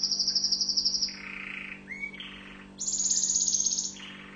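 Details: An orange Tunisian canary sings a varied series of phrases: rapid high trills, buzzy mid-pitched rolls and a rising whistle. A steady low hum runs underneath.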